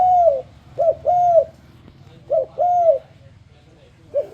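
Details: Lure song of a spotted dove, played to get other doves singing along: mellow coos in repeated phrases, short doubled note then long bowed coo, over a low steady background hum.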